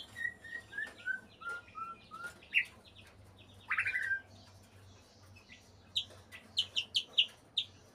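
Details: A white-rumped shama in breeding condition whistles a run of evenly spaced notes that step gently downward. A loud sweeping note follows, then a burst of sharp, high chips near the end.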